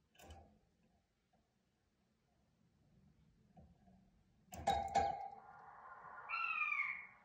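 A male king quail gives a clear, piping whistle that slides downward at the end, preceded by a sharp metallic clatter in a quiet indoor room.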